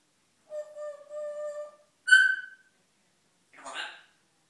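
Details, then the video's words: Male pet African grey parrot chatting to himself one morning, indoors: a level mellow whistle held about a second, a sharp higher whistled note, then a short rough squawk after a pause. "African grey morning chat'"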